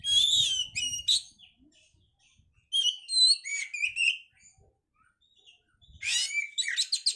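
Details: Oriental magpie-robin song aimed at raising breeding condition: dense phrases of sharp whistles, trills and chattering notes in three bursts with near-silent gaps between.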